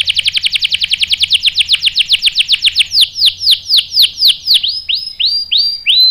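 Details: Canary singing to lure a male into answering: a fast run of downward-sliding whistled notes that slows into separate, louder swoops near the end.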